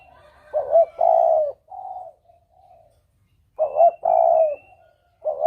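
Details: Clear lure call of a spotted dove in the double-'kuk' manner: loud three-part coos, short-long-short, repeated about every three seconds, with soft trailing notes and faint high whistles.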